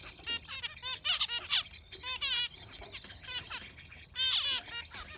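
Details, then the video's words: Yellow finch pouring out a concert of rolling, buzzy chirp clusters, repeated down-slurred notes grouped in short bursts, over a soft rustling background. "Beautiful Yellow Finch giving a Concert"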